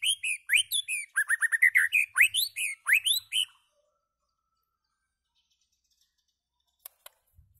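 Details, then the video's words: Loud singing from a white-rumped shama, a rapid series of sweet upward-sweeping whistles and chirps for about three seconds, then silence broken by a couple of faint clicks. "White-rumped shama singing loud"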